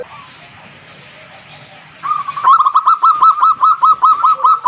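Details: Zebra dove of local stock, a loud ngalun kung bulat singer meant to draw other doves into song; after two seconds of quiet hiss, a long even train of rapid clipped notes begins.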